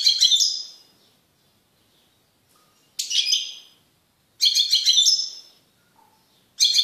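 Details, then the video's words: Male goldfinch, caged and isolated from the female canary it bred with, delivers repeated short twittering phrases, four bursts of bright chattering notes with pauses of about a second or more between them. "تغريد قوي لذكر طائر الحسون بعد عزله عن أنثي الكناري"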